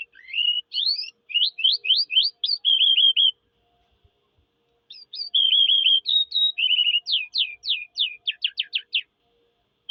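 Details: Eurasian skylark song in two long bursts: rapid high chirps, repeated downslurred notes and warbled trills tumbling on without a break. The bursts are separated by a silent gap of about a second and a half.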